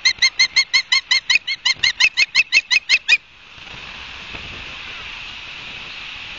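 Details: At a nest camera in Barnegat Light, New Jersey, 31 August 2022 at midday, an osprey gives a quick, even series of about fifteen bright, piping whistles over three seconds before the sound drops to a constant background hiss.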